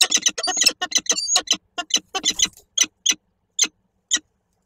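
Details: Male and female peregrine falcons meeting at a nest in Koszalin, Poland, on 22 November 2023, recorded from an online nest camera; the male then fled and the female soon followed. A rapid harsh chattering series slows into a few spaced, clipped notes.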